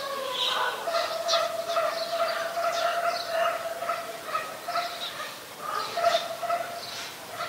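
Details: White-vented myna in Ubon Ratchathani, Thailand, 26 December 2020: a steady run of nasal, squawky chatter with rough, overlapping notes. The calls rise and fall in uneven bursts for several seconds.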